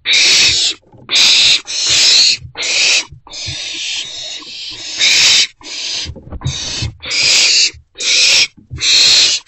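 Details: Three owlets inside a nest box on the morning of 13 April 2024 give harsh, hissing screeches, about a dozen long bursts in quick succession with short gaps, and a soft low rumble and shuffling underneath.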